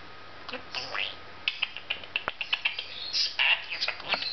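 A budgerigar talks in rapid, high, raspy chatter, with quick syllables running together like muffled speech.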